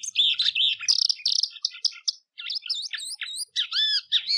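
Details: White-throated seedeater (golinha) song used to teach and train young birds: fast, varied high chirps and whistled notes, some sharply rising and falling, in dense bursts with a short pause midway.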